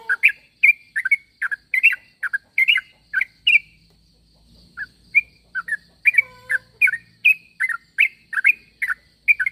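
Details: A sooty-headed bulbul calling for other bulbuls to answer: bursts of rapid chirping notes, a pause of about a second with faint low rumble, then the quick bright chirps return.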